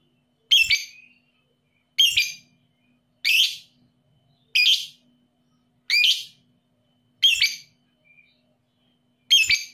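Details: Shrill, piercing lovebird chirps of the 'paud' kind, meant to stimulate lazy birds into emotional singing; seven sharp, high calls repeated roughly every one and a half seconds against a quiet background.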